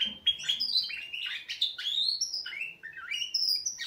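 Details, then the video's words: Canaries in full wake-up song: loud, continuous chains of high whistled slides and buzzy trills with barely a pause. "Kanarienvögel Weckgesang |||Canaries wake-up song"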